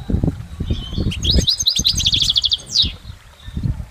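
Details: Goldfinch recorded in nature, singing a rapid, high twittering phrase of tinkling notes and short buzzy trills over about a second and a half, with low thumping and rumbling noise underneath throughout.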